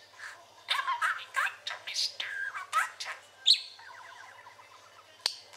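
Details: Pet parakeet chatting then trilling: a jumble of squeaky warbled notes for three seconds, a sharp click, then a soft evenly pulsed trill lasting over a second and a final sharp chirp.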